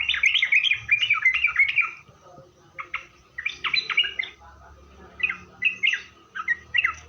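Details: Lure recording of sooty-headed bulbul meant to make other bulbuls reply: a quick tumbling warble first, then separated short chirped phrases of two or three notes with brief pauses between them.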